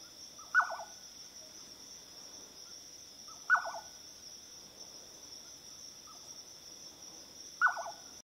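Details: Jerdon's nightjar calling at midnight gives a short, liquid, quavering note every three to four seconds over a steady high insect drone.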